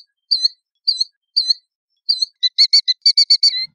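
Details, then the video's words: Killdeer gives four high falling calls, then speeds into a quick stuttering run of clipped, rapidly repeated notes ending in a drawn-out slurred note. "Killdeer Song! Killdeer Call! Killdeer Voice! - Chorlo Gritón Canto!"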